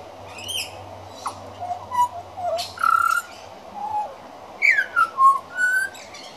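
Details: Juvenile pied butcherbird rehearsing its song, a halting run of clear, mellow whistled phrases that slide up and down, ending in a quicker cluster of descending notes, with faint high chirps and a low hum behind.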